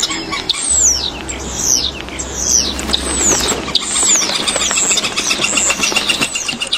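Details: Purple-throated Euphonia (Fim-fim) singing in Brazil: high, thin slurred notes sweeping downward, repeated irregularly over a hissing background with a steady low hum.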